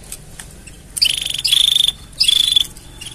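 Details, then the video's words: A canary sings for mating: three quick high trills in close succession, each a fast stream of pulsed notes lasting under half a second, separated by brief pauses, over soft background hum. "Tone Up Your Canary's Singing with These Mating Sounds!"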